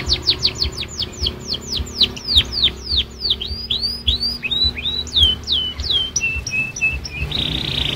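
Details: Young canary learning to sing: rapid series of descending whistled sweeps, then arched notes and a short buzzy trill, with steady low hum behind.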